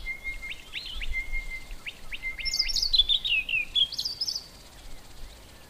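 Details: From within a bush, a white-browed scrub robin opens with a thin, level whistle broken by short ticking notes, then bursts into a fast tumbling phrase of high, slurred notes that rise and fall repeatedly.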